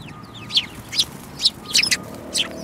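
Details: Several sparrows, one of them yellow-beaked, recorded on 5 February 2018, giving short bright chirps, about six sharp notes spaced roughly half a second apart, some doubled, over a low steady background hum.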